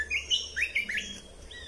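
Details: Red-whiskered bulbul training song: four or five loud, quick whistled notes sliding up and down, ending in a softer thin note.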